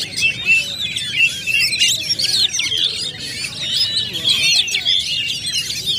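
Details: Contest-area Oriental magpie-robins all singing loudly, overlapping rich whistles, trills and sharp chirps without pause, several birds heard together.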